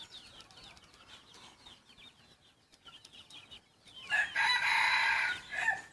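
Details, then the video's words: Crow of a young yellow decoy rooster crossbred with wild junglefowl: soft small-bird chirps and twitters first, then a single strong, rasping crow of just over a second near the end. "Ntsuag lau qaib daj txuam qaib qusไก่ต่อหนุ่มสายเหลืองลูกผสมป่า"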